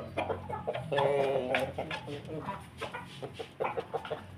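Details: Ayam Ketawa laughing chicken kept with a family of Pelung Bangkok chickens, giving a harmonic crowing burst followed by quick, uneven runs of short staccato laughing notes, about three per second, over low background hum.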